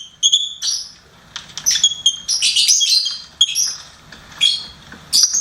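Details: Pet lovebird chirping: sharp high squeaks and a dense, scratchy twittering run in the middle, then scattered single chirps.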